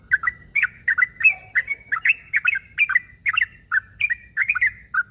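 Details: Sooty-headed bulbul calling a rival with continuous, rapid chirping, bright paired notes following one another closely, plus one faint lower tone early on.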